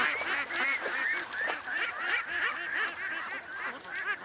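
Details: About 150 domestic ducks in a yard near a swamp at about 6:30 on an August 2 morning, calling in a dense, overlapping chorus of nasal quacks and honking calls, several per second.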